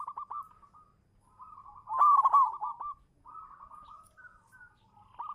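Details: Local zebra dove, a champion lure bird, singing from its perch: long, soft, trilling coo runs, with one louder, rougher swelling phrase in the middle.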